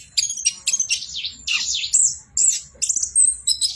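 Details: Orange-headed thrush in nonstop 'bocor' song: swooping whistled slurs and thin high notes follow one another in quick, separate bursts against a faint low background hum.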